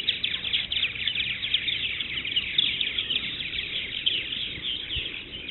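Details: Purple martins at the Maurice River chatter in a dense, continuous chorus of liquid, gurgling chirps and twitters, many birds calling at once without pause.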